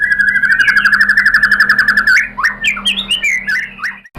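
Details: White-rumped shama lure song meant to stir another bird into answering and singing steadily: a fast, even trill of about four notes a second near one pitch for two seconds, then jumbled rising and falling whistled notes over a low steady hum.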